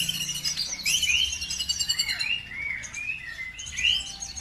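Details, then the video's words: Songbird in full voice, used as a lure to make other birds answer and sing: fast tumbling sequence of slurred whistles, swooping notes and high sharp chirps, continuous throughout, with a light low hum beneath. "PANCINGAN SUPER AMPUH CUKUP HITUNGAN DETIK LANGSUNG NYAUT BIKIN EMOSI BURUNG NAIK IKUT GACOR"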